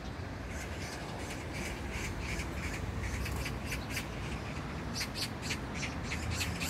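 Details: Magpie at Jangdumot neighbourhood park, Gyeyang-gu, Incheon, South Korea, on June 19, 2022, gives harsh, rattling chatter, rapid dry chak notes in uneven bursts, over a steady low rumble of wind or distant traffic.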